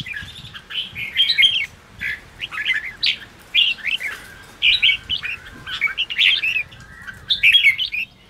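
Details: Red-whiskered bulbul chattering energetically to provoke caged wild-caught birds; steady string of short, bright warbling phrases and rising slurs, each roughly half a second, over faint low background hum.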